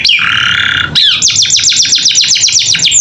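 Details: Canary master song for tutoring captive birds, sung vigorously with varied fill-in phrases: a long, harsh, wheezy held note, then a fast run of sharp, high downslurred chips repeated about ten times a second.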